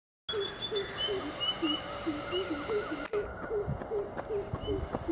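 Greater Coucal giving a steady series of deep, hollow hoots, about two or three a second. Higher whistled notes from other birds are heard in the background.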